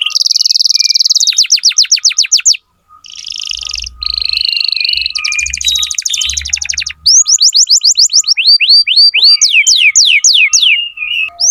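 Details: Strongly singing canary used as a tutor for young canaries: quick series of rising and falling whistled sweeps, short buzzy trills and rattles, a brief pause, then fast repeated upward-slurred notes; faint low thumps in places.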